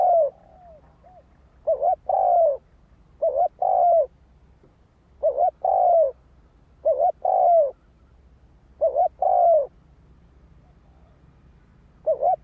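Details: Spotted dove cooing persistently, phrases about every two seconds, each a quick doubled note and a long slightly falling coo, with faint softer coos between, quiet background.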